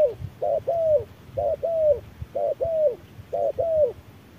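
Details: A spotted dove answers a decoy bird at noon in searing sun with soft, deep two-note coos repeated roughly every second, four pairs, the second note longer and slurred, over faint low thumps.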